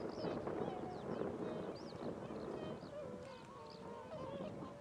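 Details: Cackling geese on the wing, a flock's rapid honking chatter, about four notes per second, some drawn-out wavering honks later, with faint high chirps from small birds above.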